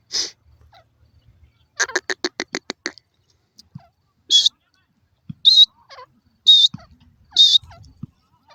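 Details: Grey francolin (Indian teetar) giving a quick run of about eight dry ticking pulses, then separate shrill, high squealing notes spaced about a second apart, with quiet gaps between.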